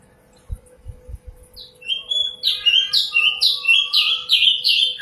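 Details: Sikatan londo, the common nightingale, singing loudly and clearly. A few soft knocks come first, then a lone whistle. The bird builds into a rapid, steady series of rich, repeated slurred notes that carries to the end.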